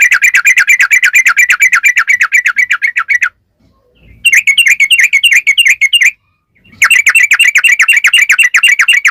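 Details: Yellow-vented bulbul in full long 'ropel' song, played to prompt other bulbuls to sing back: fast, unbroken runs of bright chattering chirps lasting several seconds, interrupted by two brief silences.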